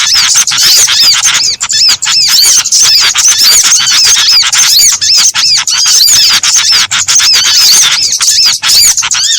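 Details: Lure for trapping birds made from a mix of small birds calling: rapid, shrill chattering chirps and arched whistles crowd together without pause, with only a few short dips in loudness.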